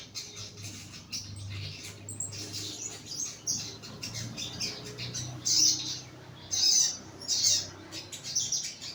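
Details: Young crimson sunbird in a lower therapy cage, giving thin high twitters, then several louder piercing chirps spaced roughly a second apart, with low hum beneath.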